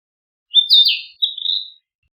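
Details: Song of a Narcissus flycatcher: a bright, fluty, slurred whistle followed after a short pause by a smoother, level whistled phrase, heard in silence.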